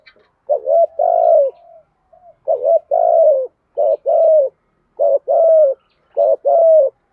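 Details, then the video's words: Spotted dove repeating 'thổ'-voice 'thúc gù' coos, used to spur and train newly caught doves. Five low, hollow two-part phrases, each a quick note then a longer coo, come about every second and a half, steady and unhurried. "tiếng chim cu gáy THÚC GÙ, cu gáy giọng thổ bài bản dùng tập bổi"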